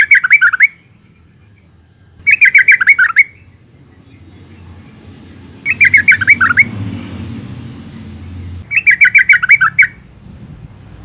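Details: A female yellow-vented bulbul calls to lure males, giving four short bursts of bubbly, chattering notes about every three seconds, over a faint low rumble.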